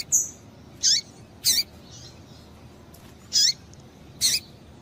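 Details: Calling female double-collared seedeater, meant to excite males: five crisp high chirps spaced unevenly about a second apart, each with a quick descending tail. A faint thin whistle is heard at the start.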